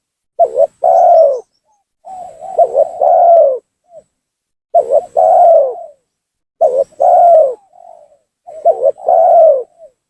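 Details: Spotted dove lure call for provoking rival doves to come down: regular phrases roughly every two seconds, a sharp stuttered double coo followed by a long rounded coo, over a faint constant high tone.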